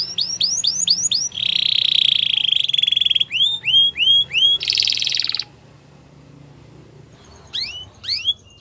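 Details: Female Belgian canary singing in the morning: quick trilled tours of repeated upslurred high notes, a buzzy sustained rattle, then more rising chirps, a two-second pause and a final few sharp upward notes.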